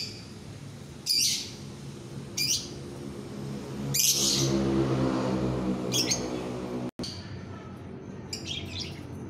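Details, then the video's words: Lovebird masteran (training song) recorded during the day: short shrill high chirps bursting out every one to two seconds, five bursts in all, over a steady low rumble that swells in the middle. "Masteran lovebird siang hari"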